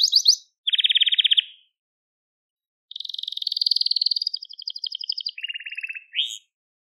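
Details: A crested Gloster canary sings for young canaries to copy: a short burst, then a low buzzy trill, a pause, and a long high rolling trill that drops to a lower rattle before ending on a brief note.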